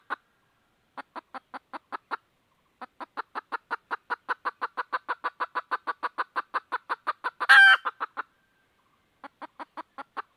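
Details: Red junglefowl hen in search of a rooster makes a long, quickening series of clipped clucks, a harsh loud squawk near the end, then a few more clucks after a pause.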